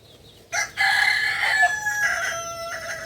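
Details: Kukuak balenggek rooster, native to Solok, West Sumatra, giving a loud drawn-out crow with a brief sharp onset, then a long sustained tone with small breaks near the end.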